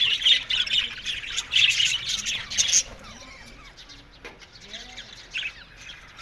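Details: Aviary budgies give loud bursts of chirping chatter in the first three seconds. A quieter stretch follows, with scattered short chirps and a few rising squeaks.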